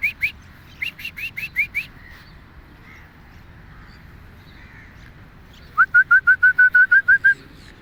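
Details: Two Alexandrine parakeets out walking in a park utter harsh, repeated calls in quick bursts, first a ragged series of about eight, then after a pause an even run of ten rapid, lower squawks.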